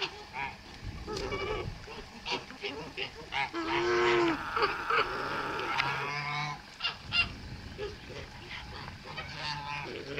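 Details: Farmyard recording of a white male Kholmogory goose, hatched 2014, made 7 November 2017: dense, overlapping nasal honks and cackles, one drawn-out hoarse call near the middle, with constant clattering, busy background noise throughout.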